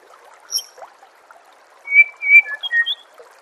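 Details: White-rumped shama song from a master recording for training songbirds: after a faint high note, a loud phrase of long clear whistles and short fluting notes at varying pitch, with steady background hiss.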